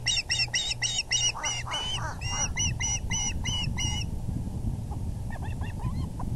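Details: Nest on April 6, 2020, 6:30pm, male bringing a large fish: an osprey pours out about four seconds of loud, quick, harmonic chirps, falls silent, then adds a brief softer burst of thin notes, over low rumble.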